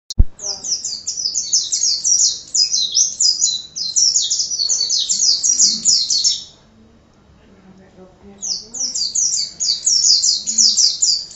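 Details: Oriental white-eye (pleci) in lively 'gacor' song used as a tutor recording: rapid, high, thin twittering of short slurred descending notes in long bursts, a pause near seven seconds, then the chatter resumes.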